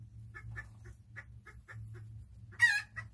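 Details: Chickens enjoying their day: a run of soft, evenly spaced clucks about every quarter second, ending in one loud harsh squawk.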